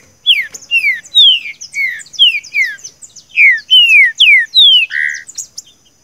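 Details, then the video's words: Captive-training recording of a green-winged saltator singing the "seu chico" song: a rapid series of loud, clear, descending whistles, repeated about every half second, ending in a burry note, with faint high chirps. "treine seu trinca ferro com esse audio/ trinca ferro canto seu chico"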